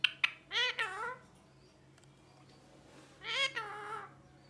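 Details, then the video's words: Pet ringneck parrot kept indoors, voicing two drawn-out, nasal, harmonic-rich calls that rise and fall, separated by about two seconds of quiet, with a couple of sharp clicks at the start. "Parrot Speaking Clearly (Mithu Mithu) | Parrot Chirping Sounds"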